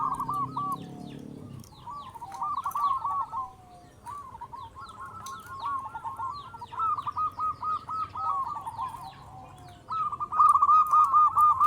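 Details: Loud-voiced local zebra dove used to make other zebra doves sing: rippling coo phrases of rapid pulsed notes, quieter in the middle and loudest near the end, over low background hum.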